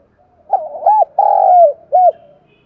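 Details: Decoy spotted dove calling in the morning to lure wild doves: a mellow, hollow cooing phrase of three low notes, a short bubbling coo, a long drawn-out middle coo, then a brief final coo, in a quiet setting.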